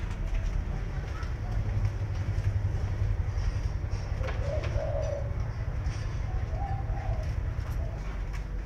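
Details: Spotted dove kept as a decoy for trapping gives two soft, low, hollow coo phrases a couple of seconds apart, over a steady low rumble of background noise.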